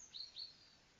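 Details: Bird song caught on an outdoor camera: two short, high whistled notes in quick succession, each slightly rising then dropping, over a soft steady hiss.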